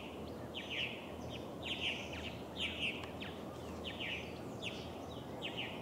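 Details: At an osprey nest in Steigerwald Lake National Wildlife Refuge, Washington, USA, 24 July 2011, a purple martin (Progne subis) repeats gurgling, chirped phrases about once a second, seven or so in a row, against constant low background hiss.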